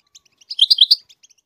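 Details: A goldfinch singing to teach its chicks to sing gives a quick burst of high, liquid twittering: five or six bright chirps run together, framed by a few softer notes.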